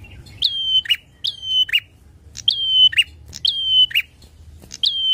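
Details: Loud, vigorous bar-winged prinia song used to provoke rivals: about five fast phrases, each a piercing whistled note that dips and holds level, then snaps into a rough buzzy chirp, with short gaps between.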